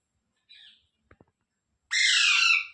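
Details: Rose-ringed parakeet, a pet ringneck, gives one long grating squawk near the end after a soft brief chirp and a couple of small clicks; quiet indoor setting otherwise.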